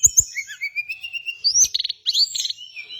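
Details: Hill blue flycatcher song from a bird-training lure: clear high whistles slide gently, then fast stuttering trills sound in two quick bursts.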